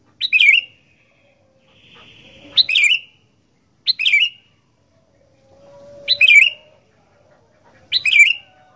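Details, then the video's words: Sooty-headed bulbul, an Indonesian caged fighter bird, delivering five sharp descending song phrases spaced irregularly, with soft buzzy and low tonal background sounds between them. "Burung Kutilang Gacor Fighter"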